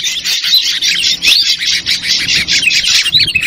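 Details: Dense, noisy ashy drongo lure call of the 'trucukan ribut' type: a continuous rasping, buzzy chatter of high notes with one short rising whistle midway, with barely any pauses.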